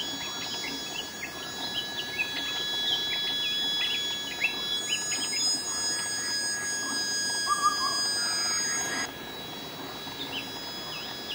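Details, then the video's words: Striated bulbul (crested, scaled black-white-yellow underparts), resident of hill evergreen forest, visiting a cliffside waterfall to bathe in the hot season, Phu Luang Wildlife Sanctuary, Loei, Thailand; bright bubbling notes and quick chirps amid forest chorus and insect drones. "นกปรอดลาย ( STRIATED BULBUL ) เสียงร้องอันแสนไพเราะ"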